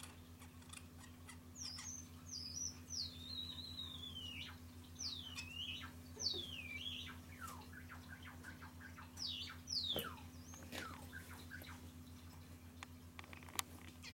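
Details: A pet Society finch practises its courtship song: thin, sliding whistles and falling notes with scratchy clicks, over a steady low hum and a background recording of a Java sparrow's courtship song.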